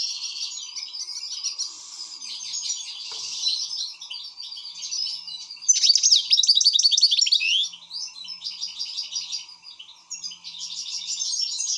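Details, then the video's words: European goldfinch in an excited state, pouring out fast, continuous high chattering and twittering with buzzy trilled phrases, loudest in a burst around the middle, over a constant faint background hum. "حسون هائج"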